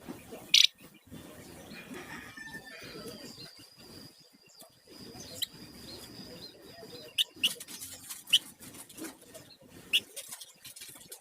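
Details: Sunda warbler singing in full 'ngebren' and 'nyiul' style, used as a lure and master recording for songbirds: a few sharp high notes, then a long steady high whistle held about four seconds, followed by scattered brief chips among clicky background noise.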